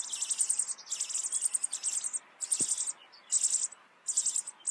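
Rock bunting giving thin, very high, buzzy notes in quick clustered bursts about every second, with one soft low knock midway.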